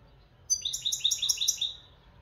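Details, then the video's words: Moroccan European goldfinch singing a quick, bright trill of about six high, ringing notes in roughly a second, clear and unaccompanied apart from a soft background hum. "مقنين حسون بلدي"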